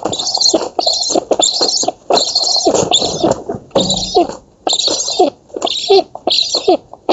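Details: Black stork nestlings begging at a feeding on a nest in an oak in Poland, 11 August 2017, filmed by nest camera; harsh hissing bursts with lower nasal squeals, repeated in quick ragged runs with short gaps.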